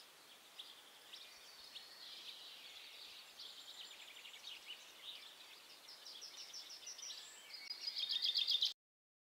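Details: Goldfinch in Brittany, France, near Saint-Nicodème, 13 June 2012, giving soft, rambling twitters and liquid chirps that build into a loud, rapid, glittering trill at the end; steady light background hiss.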